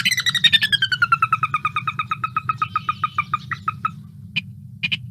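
Sora gives a descending whinny: about twenty-five quick, clear notes sliding downward in pitch over four seconds, then a few sharp single notes, over a steady low hum.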